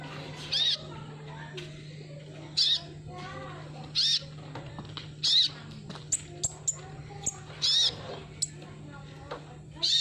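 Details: Sunbird (kolibri ninja), used as a lure sound to prompt a silent bird to sing: short, bright, high-pitched bursts repeated every one to two seconds, with thin sharp ticks between, over a steady low electrical hum.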